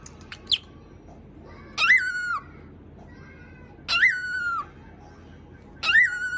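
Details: After imitating gargling, a pet cockatiel indoors gives a few soft chirps, then three loud, rasping barks, each rising sharply then holding steady for about half a second, repeated every two seconds.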